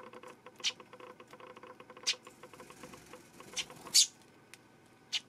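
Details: Eurasian tree sparrow recorded on 12 September: a handful of short, sharp high chirps at irregular intervals, the loudest near the middle, over a steady background of soft, rapid tapping and clicking.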